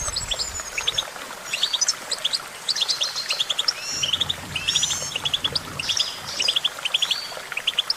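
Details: Goldfinch song: busy, bubbly twittering of high chirps, slurs and short trills, nearly unbroken, with a faint low hum in places.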